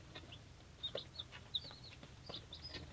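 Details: Three-day-old hatchery chicks, a mix of breeds including Pearl-White Leghorn and Rhode Island Red, call in quick high cheeps, some clear piercing notes and arched whistles, about a dozen in three seconds, over low hum.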